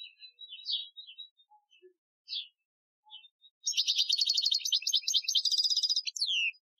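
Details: European goldfinch Algerian training song recorded in 2015: scattered soft chirps and chips, then a sustained burst of rapid high twittering and trilling that ends in a descending slurred note.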